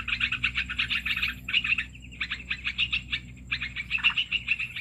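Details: Olive-winged bulbul, played as a trapping lure: bursts of quick, rattling chatter broken by a short pause near the middle, then resuming in rapid scratchy notes.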